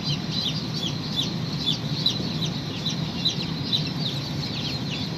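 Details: Baby chicken hatching out of the shell, peeping busily: high, thin, downward-slurred notes in a fast uneven series above a constant low hum.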